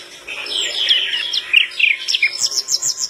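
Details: Flycatcher singing busily while other birds respond: a tumbling run of sharp downslurred chirps, then a fast even series of high clipped notes, about three per second.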